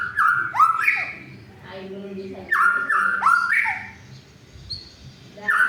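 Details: White-rumped shama song played to provoke silent shamas into singing and to rouse a rival: loud, clear whistled phrases, some sliding upward, in bursts separated by quieter gaps with a low background hum.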